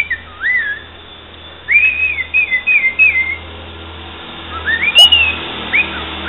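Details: Pet cockatiel singing pieces of a football club anthem; bright melodic whistled phrases of looping, rising and falling notes, a pause, then more rising whistles, with a low hum underneath.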